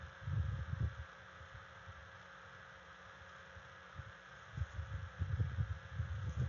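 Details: Low rumbling gusts and rustling bursts at a bald eagle nest camera, with quiet steady hiss between them and no animal voice.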